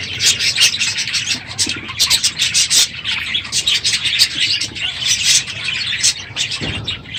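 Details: Loud morning chorus of budgerigars in an aviary at the end of the breeding season: dense rasping chatter and chirps from many birds, almost without a break.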